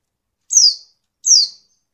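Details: Two quick, high, falling notes from a female Oriental white-eye, less than a second apart, a call used to stimulate males into singing.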